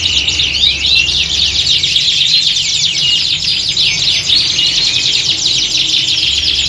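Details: A squad of canaries in full song, recorded to mimic a singing-competition atmosphere for training; continuous thick layer of high twittering trills and quick descending notes, low rumble in the background.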